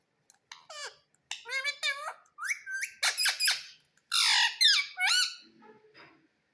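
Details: Indian rose-ringed parakeet, a pet kept indoors, taught to say "mummy", produces a series of harmonic squawks and speech-like syllables, rising and falling, ending with softer squeaks in a small room.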